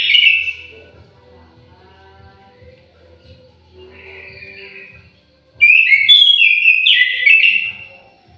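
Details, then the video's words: Orange-headed thrush in an aviary singing in bursts: a loud whistled note at the start, then softer warbling, then a lively run of rapid, jumping whistled notes near the end. "KICAU MERDU BURUNG ANIS MERAH"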